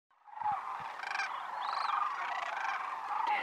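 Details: Migratory sandhill cranes wintering at the Willcox Playa Wildlife Area, where more than 20,000 gather. Overlapping rolling, trumpeting calls start up after a brief silence and build into a steady chorus, with a few low thumps early on.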